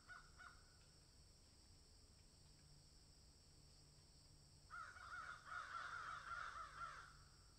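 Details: A crow that has found something in a tree: a few faint caws at first, a long quiet stretch, then a loud rapid burst of rough caws lasting over two seconds.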